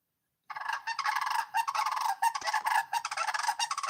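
Sandhill Crane giving loud, rolling, trumpeting rattles, honk after honk in quick succession with hardly a pause, pitched fairly high and harsh.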